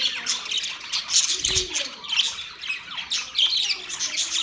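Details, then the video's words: Caged budgies in a newly set up cage, chirping together: a continuous overlapping chatter of scratchy warbles and short squawks from several birds, with a brief low thump partway through. "Budgies chirping sounds"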